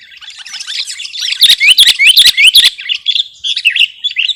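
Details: Sooty-headed bulbul from a recording used to lure birds and tutor caged birds: busy overlapping chatter with a string of loud, quick upward-sweeping whistles in the middle, then scattered lively notes.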